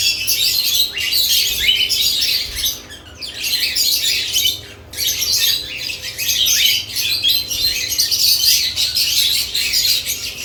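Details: Caged lovebirds active around newly added nest boxes, giving dense, overlapping high chirps and shrill squawks in near-continuous bursts, with brief pauses near three and five seconds.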